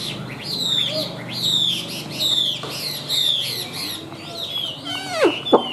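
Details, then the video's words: Caged white-winged, white-tailed Chinese hwamei, a bird for sale noted for singing high; clear whistled phrases slurring downward, repeated roughly each second, ending in a loud sweeping drop and sharp notes. "Họa Mi Cánh Trắng Đuôi Trắng - Hót Cao"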